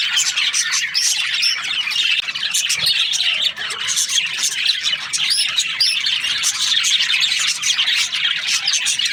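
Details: Dense chorus of Australian budgies during breeding season: constant high-pitched chirps, squeaks and warbling from many birds at once, with a brief faint low thump near the middle.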